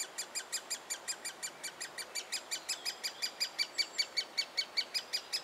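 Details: Young great spotted woodpecker in a willow trunk in Biesummerbos, Delfzijl, calling as it is fed; long unbroken run of sharp, high, scratchy chirps at a fast, regular beat, growing slightly louder toward the end.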